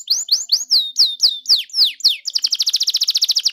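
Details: Provoking song of a canary: a series of loud downslurred whistled notes about every quarter second, followed by a very fast, even trill of high repeated notes.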